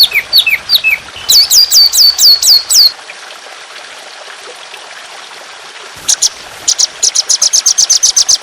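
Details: Trotolan on a songbird training recording with trickling water: sliding, down-slurred whistled notes in a fast run, a quiet gap, then a rapid series of high sharp notes.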